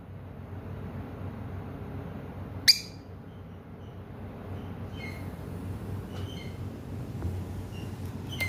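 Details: Lovebird chirping: one loud, sharp, high chirp, then a run of fainter, thinner chirps and ticks scattered through the rest of the clip over a constant low hum.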